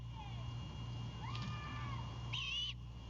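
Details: Great horned owlet at a nest cam in Savannah at night on 3/26/22, going on defense as its father brings a bird as prey. One short harsh hissing screech. Faint whistled notes before it and a steady low hum.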